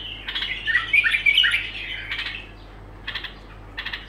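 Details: Singing bulbul: a loud opening run of fluty, slurred notes, then short scratchy bursts spaced about a second apart, against a faint steady hum.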